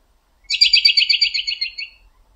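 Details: An American robin perched in a backyard tree late in the evening calls to other robins nearby, giving a quick chattering run of about a dozen high, sharp notes in under two seconds, fading toward the end.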